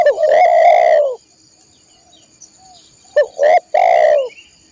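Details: Cooing song of a spotted dove, used for training caged birds: a long, loud, falling coo, a silent gap of two seconds, then a short double note and another long drawn-out coo; thin high hum in the background.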